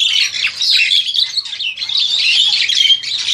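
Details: Young captive Crested Myna of seven to eight months, kept for breeding in Indonesia, recorded on an aging Samsung handset: bursts of harsh, buzzy chatter with squeaky whistles, briefly rising and falling in loudness.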